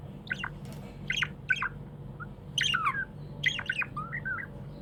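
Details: Pet budgerigar, described as happy, gives short rising and falling squawky chirps in irregular bursts, with a soft warbled phrase near the end and a low background hum.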